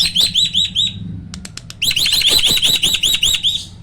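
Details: Hybrid starling, a cross of Asian pied starling and black-winged starling, singing in the roll tembak style with a loud voice. It gives bright looping high notes in quick rolls, a few sharp clicks, then a longer rapid run of repeated up-and-down notes.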